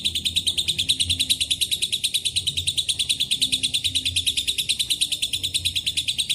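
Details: Lovebird ngekek, a long trilling song mixed with Cililin and canary phrases. The even stream of quick, high, grating notes never pauses, with faint low background noise.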